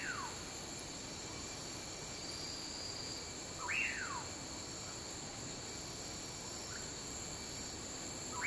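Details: A male Common Pauraque calls at dusk in the Guatemalan lowlands, giving a slurred whistle that sweeps up sharply and drops away, over a steady wash of insect trilling and hiss.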